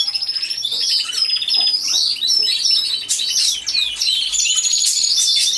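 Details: Canaries in an aviary, heard via hidden camera, all singing together; fast chirps and trills repeated in quick bursts, bright whistled notes and buzzy rolls overlapping, with a faint low hum at times.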